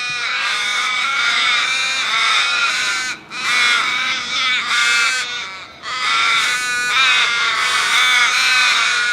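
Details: Loud flock of crows, many birds cawing at once in a continuous harsh chorus, broken by short lulls around three and five seconds before the overlapping caws swell again.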